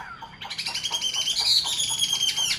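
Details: Hand-carried caged Chinese hwamei gives a harsh, buzzy sustained phrase with rapid pulsing texture, strong and steady for about two seconds.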